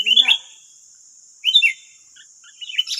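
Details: Wild sooty-headed bulbuls answering a decoy in West Lampung, Indonesia, nine against one: short bright whistled phrases dropping in pitch, separated by about a second of quiet, with a faint low murmur at the start and a constant thin high hum.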